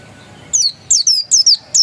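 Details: Pleci, the Oriental white-eye, dakun type said to be genuine; a few high, thin descending whistled notes in quick pairs after a half-second of quiet.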